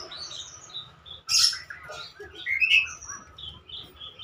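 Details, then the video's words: Javan myna (jalak kerbau), a talking bird, makes a sudden harsh squawk, then a string of short whistled and chirped notes at varied pitches. "Jalak kerbau Pinter bicara"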